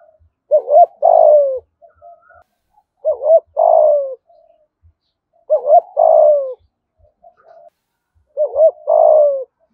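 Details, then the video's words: Vietnamese spotted dove from Dong Nai in "thổ" voice, four regular phrases roughly every two and a half seconds, each a short two-part lead-in and a longer downward-sliding coo, quiet murmurs between. "Chim cu gáy thúc gù giọng thổ bài bản nhất Đồng Nai"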